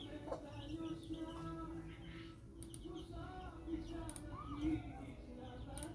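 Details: Thirteen-day-old Silver Laced Wyandotte chicks feeding on cooked fish with a hen of the same breed; several short chirps and one arched, rising-falling peep near the end, all over a constant low hum.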